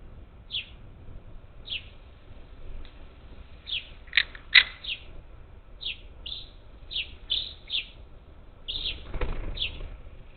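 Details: Parakeets, up to ten, at a Gulf Coast bird feeder on the outskirts of Houston, Texas, on 27 July 2021: short harsh squawks about once a second, some overlapping, with a low rumble behind.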